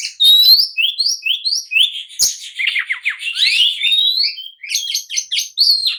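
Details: Agitated oriental magpie-robin song meant to provoke rivals into answering and fighting: a rich, continuous stream of rapid whistles, upslurred notes, chattering trills and sharp chips, densely packed and high-pitched throughout.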